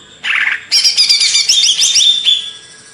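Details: Greater green leafbird from Banyuwangi, Indonesia, in a songbird hobby recording: a short buzzy note, then a dense rapid run of high chirps, trills and slurred whistles lasting under two seconds, ending on a sustained whistle.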